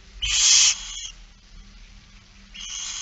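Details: One drawn-out, rasping hiss from a barn owl at feeding time, Friesland, Netherlands, September 2019, trailing off, then a second screech beginning at the end.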